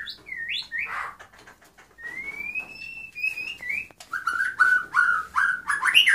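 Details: Sparrows singing in Suq ash-Shuyukh, Iraq: a varied run of whistled, slurred notes, some rising and falling, one long rising whistle, then a faster series of loud, harsh chirps near the end, with faint background clatter.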